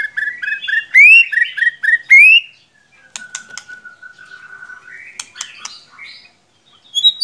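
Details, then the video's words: White-rumped shama lure song for a reluctant singer: a fast run of repeated rising whistled notes, then a long steady whistled tone with faint ticks, followed by sharp clicks and a high closing phrase. "Solusi murai ngiriwik kurang gacor cukup dengarkan suara pancingan ini pasti nyangut"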